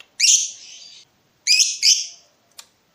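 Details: Lovebird in breeding mood calling to provoke a rival: a drawn-out, harsh, buzzy high screech nearly a second long, then two shorter rasping squawks close together, and a brief click at the end.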